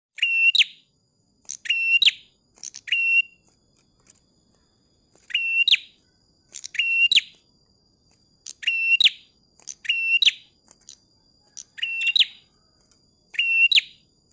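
A tailorbird gives loud, sharp, scratchy chirps in quick bursts about every one and a half seconds, over a faint steady high whine.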